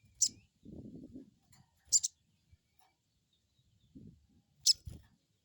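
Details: Crested jay giving the crecet call as a lure for untrained birds: three short, piercing high bursts at irregular gaps, interspersed with faint low rustling sounds.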